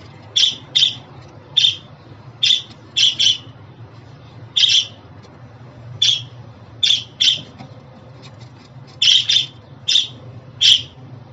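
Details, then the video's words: Budgerigar calls meant to make a pet budgie happy: around sixteen short, buzzy chirps, some paired, scattered fairly evenly across eleven seconds with a faint hum behind. "Muhabbet Kuşu Sesi, Kuş Sesi! Muhabbet kuşu ötüşü, muhabbet kuşu çağırma sesleri!"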